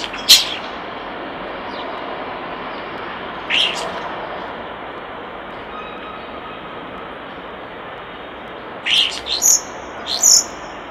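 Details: Sparse common starling song recorded by a nest box: isolated clicks and whistles early on, then a quick cluster of squeaky, clicking notes and high whistles near the end, with steady background noise throughout.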